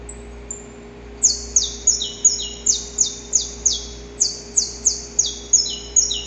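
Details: Saffron finch male singing in nature before dawn, dancing-style courtship of a female: two faint notes, a pause, then a rapid burst of loud, scratchy falling notes at slightly varying pitches, low hum behind.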